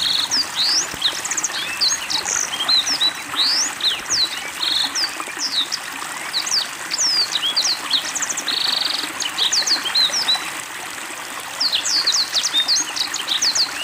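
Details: Black-throated Canary singing actively with water therapy over a long stretch, pouring out varied sharp whistles, quick slides and buzzy trills, with a steady trickle of running water behind.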